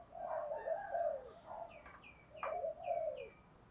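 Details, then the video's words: Spotted dove coos, quiet and a little distant, from recordings of male and female birds used to stir decoy doves into calling back. A series of mellow hooting notes plays while another bird gives short, high chirps and background hiss runs throughout. "tiếng chim cu gáy thúc đấu luyện cu gáy mồi gáy theo"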